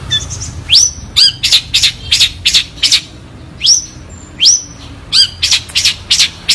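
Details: Long-tailed shrike, clear voice, in a tutor recording: sharp upswept whistles alternate with clusters of harsh high chattering notes, in irregular phrases separated by short pauses.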